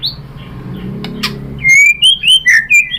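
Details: White-rumped shama singing to provoke other birds: after a low hum and a few clicks, a bright run of high slurred whistles, each note rising or falling.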